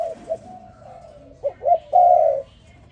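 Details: Spotted dove calling in the morning: soft, low cooing, then two short rising notes and a long, loud, level coo.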